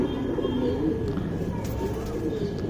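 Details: Young tournament pigeons in a loft give steady, low, throaty coos that blend into a continuous murmuring chorus, with faint clicks and background hum.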